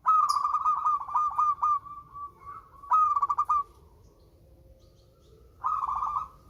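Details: Melodious local zebra dove, used to prompt lazy birds to sing. Three bursts of rapid, pulsed, trilling coos at one steady pitch. Quieter low notes fill the gaps.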